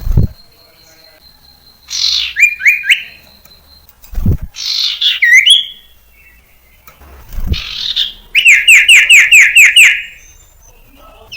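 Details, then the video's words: Common iora (sirtu cipoh) lure recording to help young birds become fluent singers. Three phrases, each opened by a low knock, bring buzzy notes and slurred whistles; the last is a fast string of about eight identical chirps. "Suara Burung Sirtu Cipoh PANCINGAN sirtu cipoh TERAMPUH"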